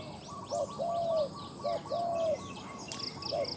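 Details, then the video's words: Spotted dove kept as a captive decoy with a loud voice, used in luring wild doves, sings mellow low coos, each a short clipped note followed by a long sustained coo, twice, with distant chirping insects. "ต่อนกเขาใหญ่ EP2 เสียงนกเขาใหญ่"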